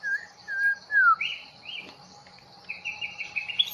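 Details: White-rumped shama, long-tailed Bahorok form, newly taken from the forest, singing clear whistled notes: three gliding whistles, then bright warbled phrases and a run of quick repeated higher notes, over a steady low hum.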